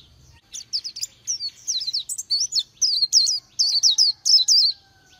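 Oriental white-eye singing a rapid, high twittering string of sweet, wavering notes, about four per second, with a faint background hum.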